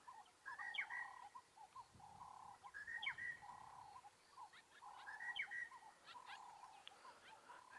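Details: On a chilly sunrise safari drive in African bush on 20 March, a singing monotonous lark repeats a short, clipped, whistled phrase about every two seconds, with other larks, over low, steady cooing doves.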